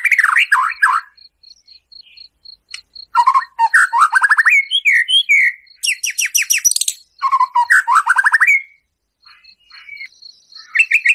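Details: White-rumped shama singing full harsh 'tembakan' phrases, used to rouse a captive bird; dense rapid runs of falling whistled notes and scratchy bursts, nearly continuous, over a faint steady high tick.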